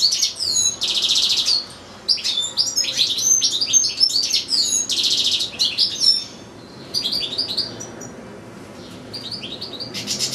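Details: European goldfinch held in a cage with another goldfinch and two small goldfinch-canary hybrids, giving a lengthy recital: harsh buzzy rasps alternating with fast twittering runs, then a near-silent stretch before a final buzz.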